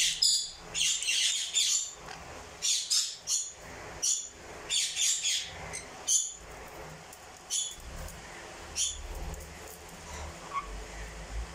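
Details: Crimson-bellied conure calling in a run of rapid, harsh chattering squawks, dense at the start then thinning to spaced single shrieks, with a faint low hum throughout.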